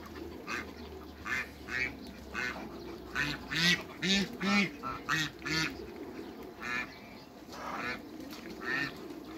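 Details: Meeting between a hybrid Cayuga duck and female Muscovy ducks: loud, harsh quacks in bursts, roughly two per second, clustered mid-clip then spaced out, over low rumbling background.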